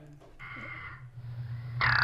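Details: Male ptarmigan sitting on a rock in Alaska's Arctic gives its mating call to a female: a nasal, held call, then a louder rasping, falling burst; a low steady hum runs underneath.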